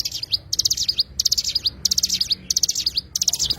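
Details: Oriental white-eye, locally cigun, giving fast, high, jangling bursts of notes, six phrases in under four seconds, each a dense run of sharp chirps.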